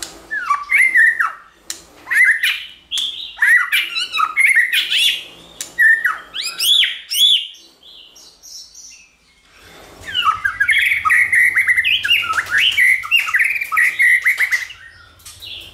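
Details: White-rumped shama song for training shamas to sing: loud rhythmic whistled phrases, a short quiet break, then rapid continuous warbling and whistles over a faint low hum.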